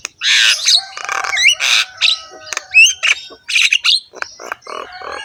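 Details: Javan myna singing in a coarse, rough voice with head-bobbing, a rich full song: dense harsh squawks alternate with sharp rising whistles and quick clicks, delivered in a rapid irregular stream.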